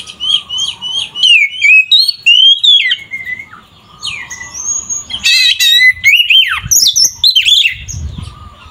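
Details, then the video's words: Caged Oriental magpie-robin in full, fighting-style song meant to rouse other magpie-robins: rapid chains of loud whistled notes dipping and rising, harsher buzzy bursts mid-phrase, a faint low hum beneath. "Suara burung Kacer GACOR ini sangat ampuh untuk menaikan emosi kacer"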